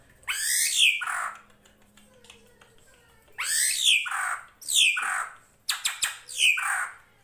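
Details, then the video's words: Srigunting krantil drongo singing in a master recording for tutoring songbirds: repeated loud, harsh, buzzy chattering phrases with downward-sliding notes, interrupted once by a quick series of sharp clicks. "MASTERAN SRIGUNTING KRANTIL FULL ISIN"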